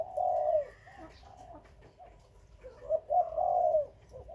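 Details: Spotted dove among Khmer and Malay breeding birds. It opens with a long mellow coo, adds soft broken notes, then a quiet pause, and ends with a rising pair of notes leading into a long drawn coo.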